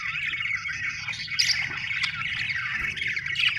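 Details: Several happy budgerigars, described as Australian birds, chatter together in a continuous warbling stream of scratchy chirps and brief shrill squeaks, with a faint low rumble beneath.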